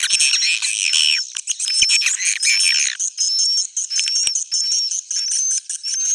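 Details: Roosting lure of swiftlets (suara inap): harsh continuous buzzing chatter at first, then shorter buzzy bursts alternating with repeated thin rising whistle notes roughly once per second.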